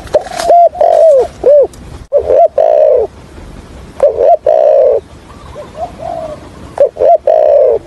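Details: Trapping decoy spotted dove, call plus stuttering coo in the 'thổ' voice style: clusters of loud hooked coos and long slurred notes, separated by pauses with faint soft coos.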